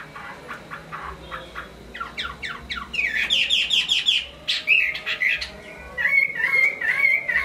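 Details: Chinese hwamei singing well, a bird from Hai Phong: soft clicking notes building into a loud burst of rapid repeated whistles and warbles, ending in a wavering whistled phrase.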